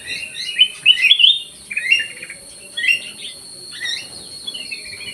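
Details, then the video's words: Black-crested bulbul in an aviary in full, vigorous song: several separate bright, warbling whistled phrases about a second apart, each a quick rising-and-falling run of notes. "KUTILANG EMAS GACOR"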